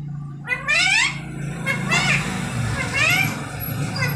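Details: Pet Indian ringneck parrot talking like a human: three short word-like phrases of gliding nasal tones about a second apart, over a steady low hum.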